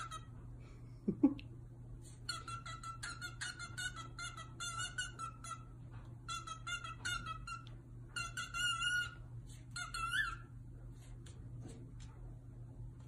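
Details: An excited male pet cockatiel in Cottage Grove, Washington, bobbing up and down while singing to itself on April 3, gives a run of bright, buzzy whistled phrases, each held briefly and repeated with small variations.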